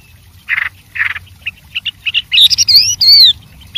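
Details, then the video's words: Wild white-rumped shama in a varied song: harsh buzzy bursts at first, then short chips quickening into bright, upward-sweeping whistles near the end. "suara Burung Wambi Gacor Variasi Banyak dialam liar"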